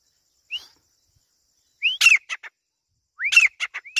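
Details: A grey francolin gives a loud, high call, phrased twice after a lone opening whistle: a rising whistled note followed by quick harsh clicking notes.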